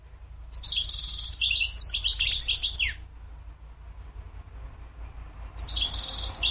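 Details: Mqnin, the European goldfinch, gives a long run of sparkling twitters and buzzy trills lasting over two seconds, pauses, then starts another twittering phrase, with a steady low hum beneath.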